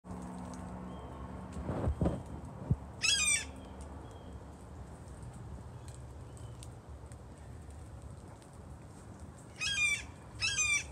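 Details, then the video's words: A blue jay calling like a hawk on 28 October 2020 gives three harsh, descending hawk-like screams, one early and two close together near the end, over a steady high insect hum and a few low thumps. "Bluejay Calling Like a Hawk"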